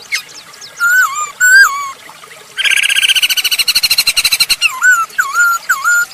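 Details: Masked laughingthrush giving its lure song to encourage other birds: wavering whistled notes that rise and drop, a steady pulsing rattle of around twenty beats, then more looping whistles.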